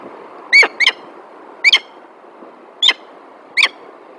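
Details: Female peregrine falcon at a nest in Alphen aan den Rijn, Netherlands, recorded 9 December 2022 around 10:18 by a nest camera; five short harsh, chattering calls in pairs and singles over steady background hum.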